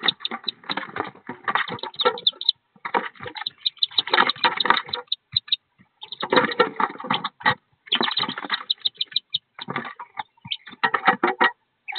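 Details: Bursts of rushing, splashy noise like water or handling come and go, with no clear animal calls.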